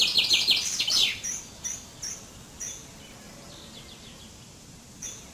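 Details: Common chaffinch song: a bright, fast trill of high notes lasting about a second and dropping in pitch toward the end, followed by a few faint scattered notes.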